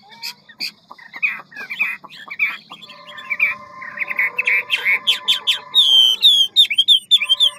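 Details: Hwamei, ngũ trường type, quick and many-voiced forest song: scattered chips build into fast, rolling whistled phrases, ending in loud, bright, slurred whistles, with a faint steady tone beneath.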